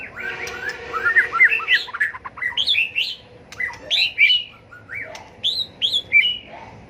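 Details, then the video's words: Tail-flicking White-rumped shama giving a fighting song to stimulate rival birds: long, continuous stream of varied whistles, chatters and upswept notes, with a faint steady background hum. "chòe lửa tạch đuôi hót đấu kích chim cực đỉnh, luyện chim hót đấu hay"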